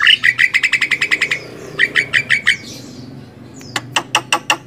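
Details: Javan myna song meant for training other songbirds: a fast series of repeated dry clicking notes, a second shorter rattling run, soft faint notes, then sharp high ticks spaced evenly.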